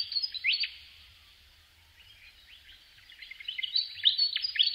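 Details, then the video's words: Willie wagtail with bursts of sweet upslurred whistled notes, a near-silent pause in the middle, then a busier run of chattering phrases; faint low rumble underneath. "Natural Birds Voice, Bird Natural Sound.Willie Wagtail"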